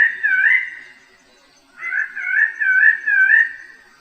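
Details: Rolling, undulating whistled phrases from a bird-of-paradise, one warbled phrase, a brief gap, then a longer series of looping, wavering notes.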